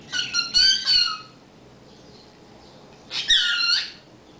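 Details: A pet cockatiel that sings, talks and has been taught phrases gives two bursts of bright, squeaky whistled phrases with warbling mimicked notes.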